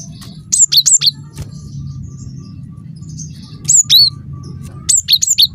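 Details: Cinereous tit singing as a lure for other tits: three brief phrases of high, clear two-pitched whistles, three to five notes each, spaced a few seconds apart against a faint low drone.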